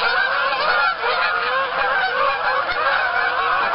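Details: A flock of geese on an Arkansas pond calling at sundown in October while others arrive and land; loud, packed nasal honking from many birds at once, rising and falling in waves.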